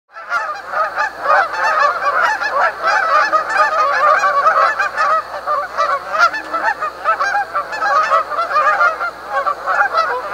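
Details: Canada goose calls: a dense, continuous chorus of overlapping nasal honks from several birds, with no pause across the whole stretch.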